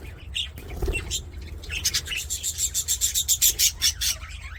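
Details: Budgerigars in an aviary, singing and playing; warbled chatter gives way to a fast run of bright, evenly pulsed chirps near the end, with a low steady hum beneath.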